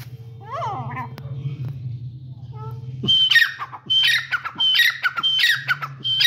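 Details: Caged grey francolin, called Dakhni or Sindhi teetar. After three seconds of quiet human voice and a low hum, loud harsh calls start. Each one is a burst of grating notes with a short clear whistle, repeated about every half second.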